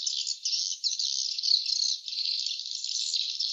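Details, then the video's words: Swiftlets calling around their nests: a close, unbroken high twittering with short dips and swells in loudness. "suara sarang burung walet ( swiftlet sound )"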